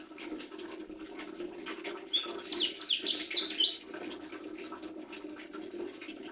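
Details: Lesser green leafbird delivering a rapid, varied phrase of high twisting whistles and chips for about a second and a half, then quiet apart from a steady low hum.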